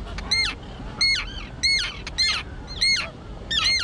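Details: Recently fledged young terns that have learned to fly, calling on a small colony island thick with tall grass; loud, grating, downward-slurred cries repeated about every half second, with a low wind-like rumble beneath.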